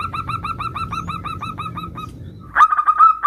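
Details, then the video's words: Local zebra dove in full voice, used as a lure to draw quick answers from other doves: a steady run of short hooting coo notes, about four per second, with a low rumble beneath; after a pause, louder rolling notes resume. "Perkutut lokal gacor suara bermacam - macam Nutut kompilasi ini ampuh untuk Pancingan Cepat NYAUT"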